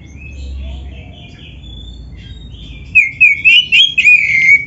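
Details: Oriental magpie-robin in full song, a recording meant for training other songbirds: after three seconds of quiet, loud clear whistled phrases burst in, short rising and falling notes repeated rapidly in a varied string.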